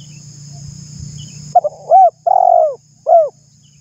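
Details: Cooing spotted dove, recording meant to prompt other doves to call: a faint low hum first, then two quick soft notes, an arched coo, a long falling coo and a closing hooked note.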